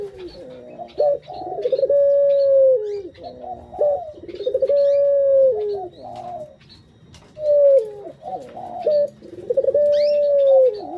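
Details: Barbary dove kept as a pet, its coo played as a lure for other birds: about four cycles of a rolling pulsed coo leading into a drawn-out steady tone, with soft chirps and light background noise.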